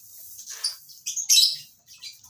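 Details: Lovebirds kept in a colony breeding setup give a few sharp, shrill chirps in short bursts against a quiet background.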